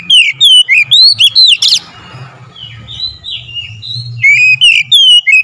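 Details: Oriental magpie-robin singing as a lure to provoke rivals: a quick run of bright whistled slurs, then a soft pause with faint warbling before another burst of loud rising and falling whistles over a low hum.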